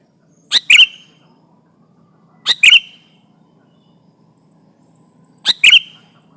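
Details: Sooty-headed bulbul sung to press a rival and lure birds for trapping: three doubled sharp chirps with brief falling whistles, spaced two to three seconds apart, soft low hum.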